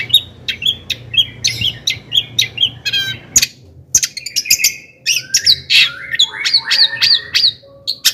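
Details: A long-tailed shrike sings energetically with mimicry, used as a lure to spur other shrikes to sing. Varied whistled notes, downslurred chips and squeaky rising phrases come in quick succession, with a short buzzy trill.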